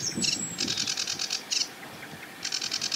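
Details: Sedge Warbler at a marsh edge by a reedbed, singing from a treetop: short bursts of rapid, harsh, high chattering notes separated by a pause, over quiet low background noise.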